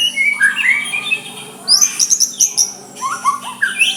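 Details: White-rumped shama soft song meant to make a rival answer: rising whistles, a quick series of high ringing notes, then slurred descending phrases, with a constant faint hum.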